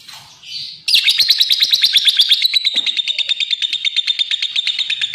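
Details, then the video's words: Soft squeaks give way to a loud, rapid lovebird trill of piercing chirps, the pulses spreading out slightly toward the end. "Suara Kicau Burung LOVEBIRD"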